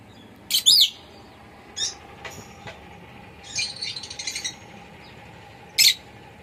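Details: Pet lovebird, indoors: a loud shrill chirp opens, then faint clicks and ticks, a stretch of soft rapid twitter, and one more sharp high chirp near the end.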